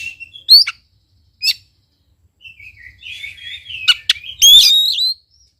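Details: Oriental magpie-robin in full song, used as a lure for a silent bird. Two short sharp whistled notes, a soft rambling warble, then a rapid burst of high clicks ending in a loud ringing whistled flourish.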